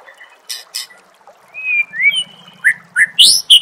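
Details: White-rumped shama masteran for training contest birds: two high rasping notes, then smooth rising whistles and sharp upslurred notes, with a faint low buzzing hum underneath part of the phrase.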